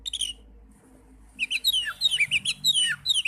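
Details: Oriental magpie-robin singing, a recording meant to coax young or silent birds into song: a brief chirp, a quiet pause, then a fast run of high, downslurred and rising notes at about two per second.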